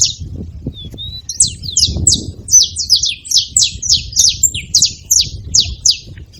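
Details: Saffron finches at a feeder: a few scattered thin notes, then a steady run of sharp, high, downward-slurred chirps repeated about three times a second, with a faint low hum behind.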